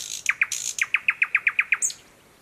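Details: Thrush nightingale in Belarus, newly arrived in streamside thickets on 11 May 2021, delivers a rapid run of about ten evenly spaced, ringing chock notes, opened by a high hiss and closed by a thin whistle.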